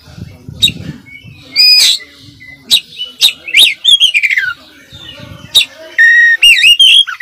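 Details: Oriental magpie-robin singing gacor, full of isian phrases: harsh clicks and scratchy bursts mix with descending whistled slurs, then a steady whistled note and rippling looped whistles, over faint low rumbling.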